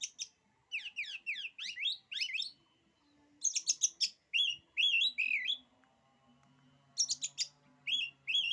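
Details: Oriental magpie-robin song said to intimidate other magpie-robins: a rapid burst of steep downward-sweeping notes, then bright varied whistled phrases with wavering and slurred notes in two later bursts, separated by short pauses, with a faint low hum.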